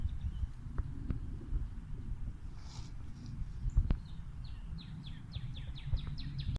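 A female northern cardinal gives a fast series of high, down-slurred whistled notes, about four a second, over a steady low rumble of wind.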